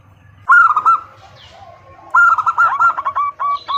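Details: Female zebra dove calling the male, two bursts of rapid, bubbly hooked notes separated by a short pause, the second burst longer and trailing into uneven repeats.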